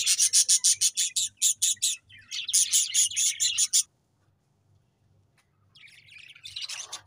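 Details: Budgerigars give a run of evenly spaced, sharp chirps, followed by a scratchy warbling phrase, several seconds of near silence, then a quieter rising chatter.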